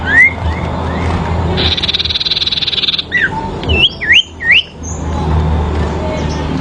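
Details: Sooty-headed bulbul in a fighting duel, song used as training therapy: one rising whistle, a buzzy steady rattle lasting over a second, then three loud twisting whistled notes.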